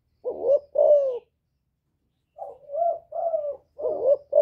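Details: Rival-provoking coos from a spotted dove in 'giọng thổ' voice: one full two-part phrase, a pause, then a quicker run of four or five softer, slurred coo notes.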